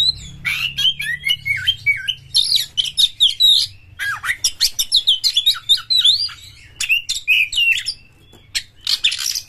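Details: Oriental magpie-robin, a champion bird singing intensely with open tail, played to provoke rival magpie-robins: a fast, almost continuous run of varied whistles, chattering notes and swooping slurs, with a faint low hum.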